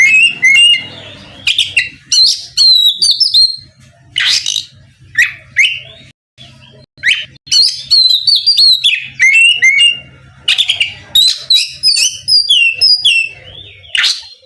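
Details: Loud, continuous oriental magpie-robin song meant to goad a rival into singing back: varied whistles, sweeping slurs and rapid chattering phrases with short pauses, plus a faint low hum early on.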